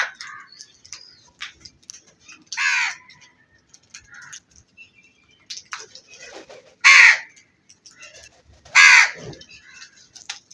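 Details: Black crow cawing: three loud, harsh, raspy caws, each roughly half a second long, spaced several seconds apart, separated by quieter clicks and faint background sounds.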